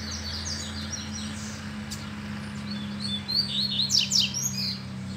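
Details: Double-collared seedeater excited by a female, its song arriving late as a burst of high whistled notes and rapid descending slurs, over a steady low hum.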